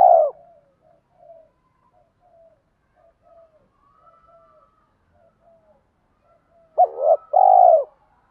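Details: Spotted dove calls, male and female, used to spur captive birds into cooing: long stretch of faint, soft, short murmured notes, then near the end one loud two-part coo, a quick wavering note followed by a fuller sustained one.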